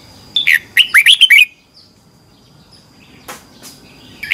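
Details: Red-whiskered bulbul competition song for training: one crisp phrase of five or six looping, slurred whistled notes, followed by near silence and faint distant chirps.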